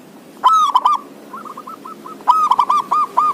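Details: Zebra dove singing energetically, a recording meant to coax lazy doves to sing: a loud ringing coo burst, softer clipped notes trailing after, then a second full phrase ending in evenly spaced hooked notes.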